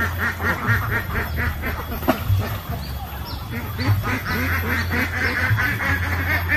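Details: Ducks on a lake giving rough, nasal quacks in irregular bursts, several birds calling over one another amid steady low background rumble.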